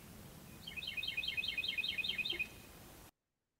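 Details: Two Carolina wrens calling back and forth, heard as a quick run of about thirteen bright, clipped notes in overlapping series lasting nearly two seconds, over steady low background noise.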